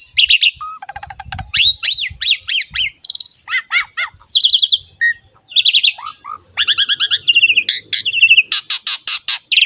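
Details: Asian pied starling singing prolifically, training material for young or quiet birds: dense bursts of chirps, grating trills, low fluted whistles and bright rising notes, ending in a run of loud harsh buzzy notes.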